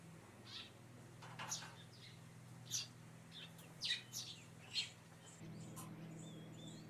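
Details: A Eurasian tree sparrow gives short, high chirps, single or in quick pairs, scattered unevenly across several seconds over a steady low mechanical hum.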